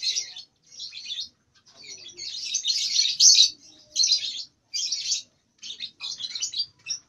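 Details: Two-month-old lovebird practising ngekek, not yet able to sing long; separate short buzzy, chattering bursts of about half a second to a second, the loudest in the middle, with quiet pauses between.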